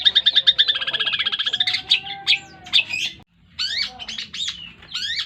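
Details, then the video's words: Eight-month-old Long-tailed shrike singing its full Tengkek Buto song run into greja yeret: a fast, even trill of sharp high notes, then scattered harsh calls, a short silence, and loud rising swept notes. "burung cendet full Tengkek Buto sambung greja yeret"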